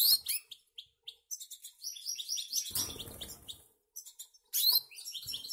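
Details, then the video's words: Young caged goldfinch × canary hybrids, already eating alone. Rapid high chirping and twittered phrases come in bursts, broken by a short rustling scrape in the middle and a brief pause before the twitters resume loudly. "mixtos de jilguero y canaria"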